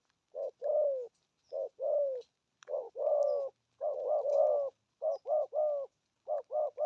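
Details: Spotted dove cooing 'thổ âm' with 'gù thúc' style: hollow low coos in short-long pairs that shift into faster runs of three and four joined notes, ending in a quick triplet.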